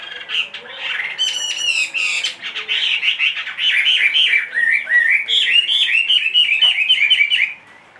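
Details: Big-bodied caged Chinese hwamei, two and a half years old, said to sing in any surroundings; opens with harsh scratchy notes, then builds into loud, fast, bouncing whistled phrases before stopping abruptly.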